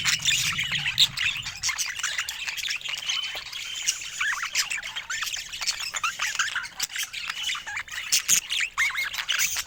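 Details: Pet budgies give long, continuous warbling chatter, with many birds' squeaky, wavy notes overlapping. A brief low hum fades out in the first seconds.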